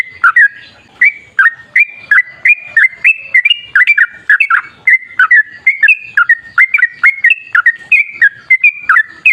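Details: A continuous run of stepped, fluty phrases in the long 'gacor ropel' song of a sooty-headed bulbul, wild style, played to get bulbuls singing; notes come in quick pairs and triplets.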